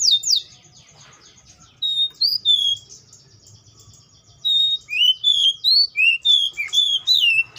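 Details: Atlantic canary song: after scattered high notes, a clear run of rapidly repeated downslurred whistles, each phrase short and sweet, delivered about three per second.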